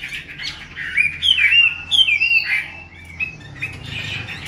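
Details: Female Chinese hwamei kept caged to spur on males, calling 'te dụ': clear slurred whistles that rise and fall, mixed with softer scratchy chirps.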